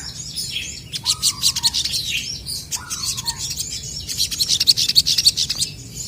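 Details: Crested jays calling back and forth: busy high chattering and rattles, twice interrupted by a lower, falling whistled note, then a loud, fast, ringing burst of chatter near the end.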